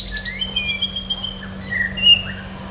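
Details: Red siskin at home giving a short run of thin sustained whistles and a soft trill, several notes overlapping at different pitches, ending with a brief high chip.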